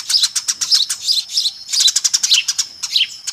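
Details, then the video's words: Busy chattering of a noisy Eurasian tree sparrow flock, used as a lure: fast runs of sharp high chirps, several birds overlapping, with a brief lull midway before the chirping resumes. "SUARA PIKAT BURUNG GEREJA RIBUT AMPUH"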